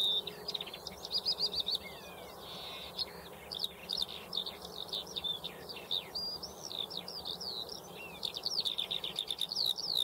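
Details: Eurasian skylark pouring out a long, unbroken high warble of rapid trills, buzzy rattles and sliding whistled notes, changing constantly, with a steady soft hiss of background noise.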